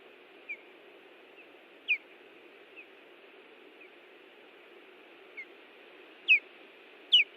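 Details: Osprey pair guarding their nest at Hellgate Canyon, Missoula, Montana, June 18, 2017: irregular series of high, thin downslurred whistles, mostly soft, with the loudest ringing notes bunched near the end, over steady hiss.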